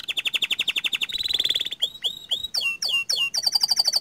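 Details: Panda canary delivering long rolling song: a rapid even trill of pulsed notes, then a high sustained buzzy roll, followed by sharp downward-swept whistles and a quick repeated high chatter.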